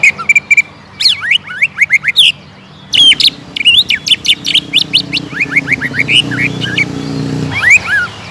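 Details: Indonesian caged greater green leafbird in a provocative singing bout: high sharp chips, then a long run of quick sweeping whistled notes repeated several per second, with faint low background hum.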